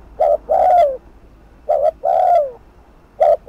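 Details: Spotted dove giving thúc gù coos for rival provoking on a decoy: a brief wobbly coo and a longer falling coo, repeated twice, the next phrase starting at the end.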